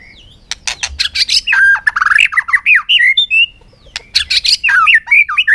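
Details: White-rumped shama singing a contest fighting song in afternoon sunshine, bouncing on its perch; dense bursts of harsh clicks mixed with rich warbling, swooping whistles, delivered in two long energetic phrases.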